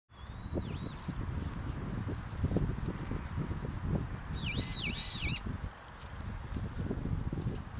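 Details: Brown-eared bulbuls at a rental farm opposite Momoyama Park, Kōyasan, Japan, answer each other. A thin, high whistle dips twice, then a shrill, wavering, warbled call follows, over steady low rumbling and rustling.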